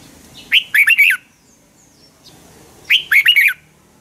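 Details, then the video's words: Red-whiskered bulbul fighting song used to push birds to sing: two matching loud phrases of four quick warbled whistles, about two and a half seconds apart, with quiet between. "Luyện chào mào hót sáng hay Dùng để thúc bổi căng hót, ép giọng rất hay, chào mào hót đấu"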